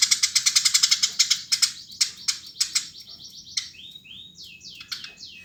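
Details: Eurasian tree sparrow in full song: a fast run of sharp chirps about four per second, slowing into spaced harsh notes, then a series of short descending whistled slurs; a quiet background with no other voices.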